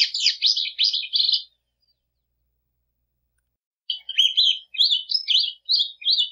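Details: Plumbeous seedeater (patativa) song: a rapid burst of high warbled, buzzy notes, a pause of over two seconds, then another run of quick twittering phrases, all high-pitched with no other sounds.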